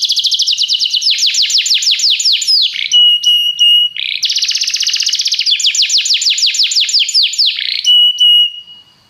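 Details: Canary in a training recording meant to get other canaries singing: bursts of rapid descending high slurred notes alternate with short flat whistles and a buzzy rattle, fading at the end.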